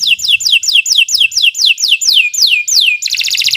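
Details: Canary singing a string of loud, clear whistled slurs that sweep downward, about three per second and growing longer, ending in a dense buzzy trill.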